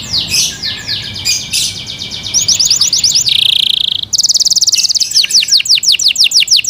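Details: Kept Yorkshire canary singing: high, rapid chirped phrases that shift into fast repeated trills, with a brief buzzy rattle in the middle, all loud and close.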